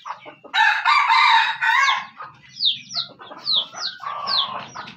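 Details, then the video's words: Aceh junglefowl kept as a decoy: a loud harsh crowing burst of about a second opens, followed by spaced high chirps that slide downward, over a low hum. "Ayam Hutan Aceh"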